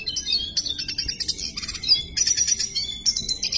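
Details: Red siskin in full song: fast, high-pitched twittering with buzzy rattles, thin whistles and scratchy chirps, delivered in dense, unbroken phrases.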